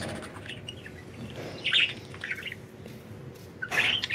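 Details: Budgerigars enjoying freedom out of the cage, chirping in short scratchy bursts separated by quieter gaps, with a brief louder chatter near the end over a faint low background hum.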